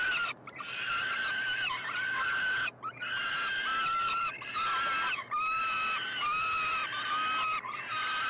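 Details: Three peregrine falcon chicks, about four weeks old, being fed in a nestbox at the University of Montreal, Quebec, Canada, 21 June 2022. They give harsh, drawn-out harmonic screams, each held about a second with a slight fall, in rapid succession with brief gaps.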